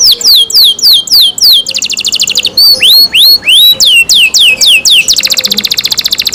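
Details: Caged canary kept by its owner singing loudly: repeated down-slurred whistles, then fast buzzy trills, more descending sweeping notes, and a rapid rattling trill at the end.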